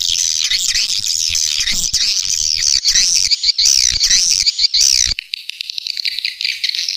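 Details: Lure call for attracting swiftlets in the rainy season: wavering, high-pitched twitters run together for about five seconds, then give way to a thinner, buzzy chatter.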